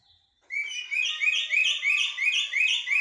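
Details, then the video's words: Common blackbird in haddadia or military song style, repeating a sharp rising note about three times a second in an even, insistent series after a short silence. "طائر الجحمومية أو الشحرور بتغاريد حدادية و عسكرية"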